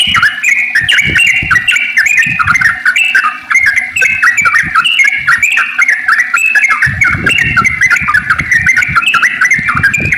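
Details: Sooty-headed bulbul in long, continuous rolling song used as a lure to make other bulbuls sing: loud, fast runs of bubbly warbled notes, unbroken throughout, with low thumping knocks in the background.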